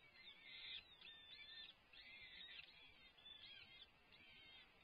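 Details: Peregrine falcons at a nest during a food delivery by the male, recorded by a livestream camera: repeated grating, chattering wails about once a second, faint against hiss.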